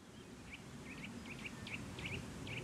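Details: Eurasian nuthatch in a woodland, pair nesting in an old woodpecker hole: the female gives sharp, rising 'tuit' alarm notes, about seven in under three seconds, some doubled, alerting her mate at the nest, over a low rumble.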